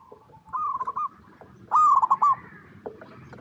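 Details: Local zebra dove (perkutut) cooing to lure other doves into singing: two soft stuttering coo phrases near mid pitch, each a quick run of rolled notes ending in a longer tone, the second louder, with faint background murmur.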